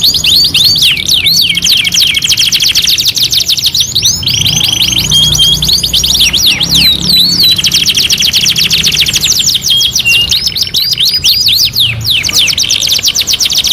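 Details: Canary in a two-in-one master recording singing long unbroken phrases: rapid high trills alternating with short flat tones and quick rising whistles, dense and energetic throughout.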